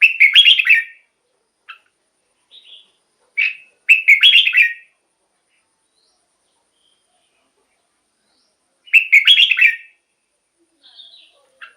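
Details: Red-whiskered bulbul song used to stimulate caged birds: short loud warbled phrases repeated at intervals of several seconds, with soft scattered chips and long silent gaps between.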